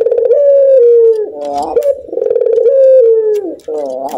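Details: Barbary dove kept as a pet laughs in two long phrases, each a rich coo sliding lower, ending in a quick warbling laugh.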